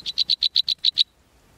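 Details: Golden-crowned Sparrow nestlings being fed by the female in the nest beg with a quick series of eight high, thin peeps, about eight per second, then stop abruptly.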